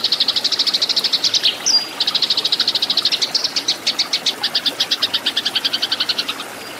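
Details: Tree sparrows fighting, a training recording for cage birds: a fast volley of sharp chirps with one thin rising squeak, then a steady chirping series that slowly fades toward the end.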